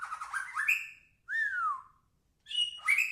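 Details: White-rumped shama (murai batu) singing actively: a rapid run of warbled, rising notes, then a clear slurred whistle falling in pitch, and after a short pause a burst of sharp, high chattering notes.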